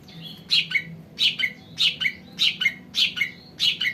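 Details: Sumatran cucak ranting song offered for luring newly caught birds: a short phrase of sharp, high chattering notes that falls into a lower slurred note, repeated steadily about every 0.7 seconds, six times, over a quiet low background hum.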